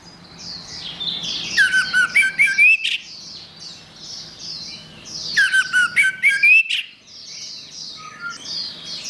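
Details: Orange-headed thrush song as a training master: two similar phrases about four seconds apart, each a rapid run of scratchy twitters ending in a rising whistled sweep. Quiet, repeated high slurred notes fill the gaps.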